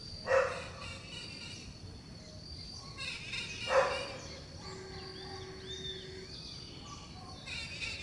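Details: Scaly-headed parrot (Pionus maximiliani) from a flock perched in garden eucalyptus trees gives two loud, harsh squawks about three seconds apart, with faint whistles and a steady hum in the background.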